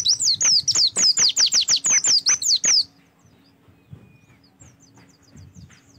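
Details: Oriental white-eye song used as a prompt for singing: a rapid, lively string of about fifteen high, thin, downward-sliding whistles packed into three seconds, then a quiet pause with faint distant chirps.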